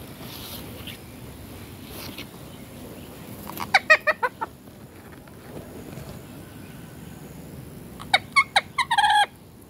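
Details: Rose-ringed parakeet (Psittacula krameri), call.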